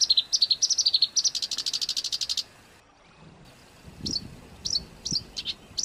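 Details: Harsh-style songbird training song meant for house and competition birds: a fast run of doubled high notes merges into a buzzy rattle, then after a silence come sparse, sharp upslurred chips.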